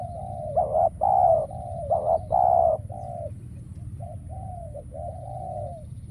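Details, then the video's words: Spotted dove decoy calling during trapping as no wild doves show up; loud accented coos open the phrase, followed by quieter, drawn-out level coos, low background rumble throughout. "Bẫy Chim Cu Gáy , Cu Gáy Bổi Giờ Hiếm Quá Mồi Kêu Vậy Mà Chả Thấy"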